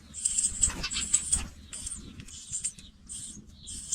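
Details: Fledgling pipits leaving the nest call in quick, uneven, scratchy high bursts that run together at first, then come singly with pauses.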